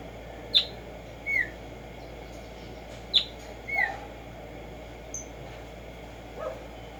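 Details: Black-striped sparrow, called tumba yegua or tico tico, in nature: scattered sharp high chips alternating with short downslurred whistled notes, about one every second, with pauses, over a steady hiss.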